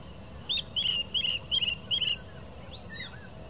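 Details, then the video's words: A chestnut-headed bee-eater gives five short, rolling, trilled notes in quick succession, about three per second, and a fainter call follows after a pause. "Chestnut-headed Bee-eater"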